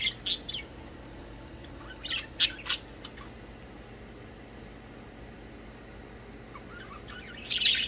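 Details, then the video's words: Budgies at play make a few sharp, harsh squawks and chirps at the start and middle, a long quiet stretch, then a loud rasping burst near the end. "Budgies chirping and playing."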